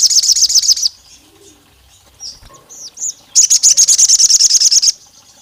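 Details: Olive-backed tailorbird female calling the male, provoking rivals: a brief rapid chirp series, a lull with a few faint scattered notes, then a longer sustained run of quick, piercing repeated notes.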